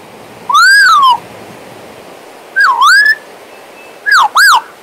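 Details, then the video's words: Three whistled phrases from a pet male Western Australian magpie, a few seconds apart: a long descending arch, a dip-and-rise note, then two quick arched whistles. A faint steady hiss sits underneath. "Western Australian Magpie Warbling, Whistling and Singing!"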